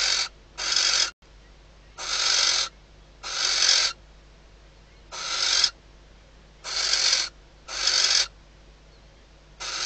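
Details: Female barn owl inside her nest at Riet Vell Nature Reserve, Ebro Delta, calling at night to the male days before hatching, leading to mating. Eight raspy hisses in uneven groups of two, with short and long gaps.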